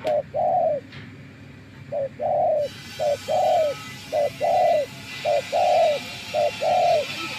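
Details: Decoy spotted dove in a trapping setup coos steadily, a short note then a longer rounded one, repeated about every second. A hiss starts partway through, and a low hum continues throughout.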